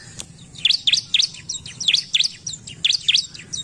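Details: Bar-winged prinia, agitated and singing in response to a lure recording: sharp high chirps in loose pairs and triplets, roughly one per second, with downward-sweeping notes and faint background hiss.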